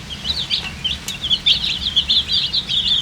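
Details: Poultry chicks with coloured feathers cheeping from thirst for water, giving clusters of bright, quick high peeps that rise and fall in bursts over a quiet background.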